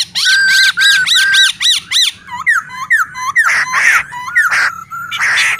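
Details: Male black-throated laughingthrush singing with a calling female, played to rouse caged birds into song: a fast run of rising-falling whistled notes, then looping slurred phrases and a few harsh rasping bursts.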